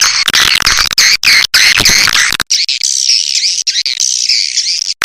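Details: Edible-nest swiftlet calls played as a lure to attract swiftlets: loud, dense high-pitched twittering and chattering, nearly continuous, with brief drop-outs and a harsher buzzy stretch in the first half.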